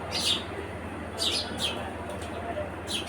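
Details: House sparrow giving a few short, bright chirps in scattered bursts roughly a second apart, over a steady low background hum.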